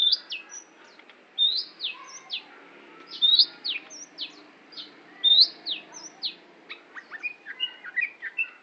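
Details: Long-tailed shrike (cendet) repeating a short phrase of high, downslurred whistles followed by a bright upward note, roughly every two seconds. A faster, scratchy chatter of mixed notes closes the sequence.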